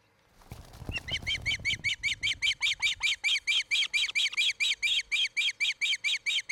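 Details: Osprey pair's nest in Charlo, Montana, recorded by nest cam on 07-10-2018, 03:29–04:29: after rustling and thumps, a loud, rapid run of about twenty-five piercing chirps, steady and insistent, continuing to the end.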